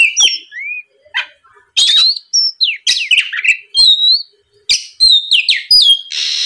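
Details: Oriental magpie-robin lure song to provoke rival singing: scattered whistles and sliding notes, harsh scratchy calls, then quick repeated whistled phrases ending in a buzzy rasp.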